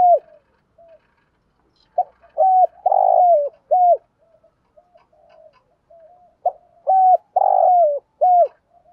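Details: Decoy spotted dove calling its flock in the morning, giving two cooing phrases about four and a half seconds apart, each a run of soft clipped notes followed by a burry drawn-out coo and a falling final note.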